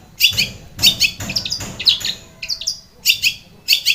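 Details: Long-tailed shrike in lure song to coax a silent shrike to sing: grating double-noted bursts alternating with short squeaky warbles.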